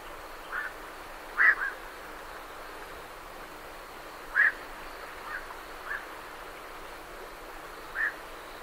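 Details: Night herons leaving a roost, great reed warblers behind: single short harsh croaks spaced about three seconds apart, one at around 1.5 seconds, another near 4.5 and a last near 8, over a steady low hiss.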